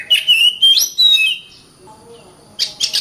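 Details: Oriental magpie-robin (kacer) singing 'gacor rapat' style: a burst of bright, sliding whistled phrases, a short quiet gap, then harsh, scratchy chirps at the end.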